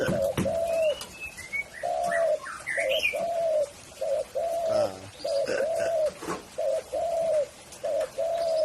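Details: Spotted dove giving a run of soft, rounded coos in short bursts with brief gaps, while thin high chirps and twitters from other birds sound behind it.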